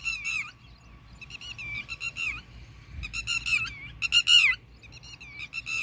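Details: Agitated red-wattled lapwing (titihari) diving at the person filming after a fight with dogs. It gives piercing, strident notes in clustered bursts, each note dropping in pitch at its end, with short gaps and a faint low hum beneath.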